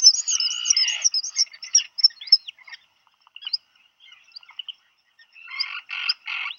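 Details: Black guillemot in a burrow on Seal Island National Wildlife Refuge, Maine, USA, in June 2020. A brooding parent hears its mate arrive with food for a chick. High thin whistled notes come first in a quick cluster, then scattered faint peeps, then buzzy bursts at the end.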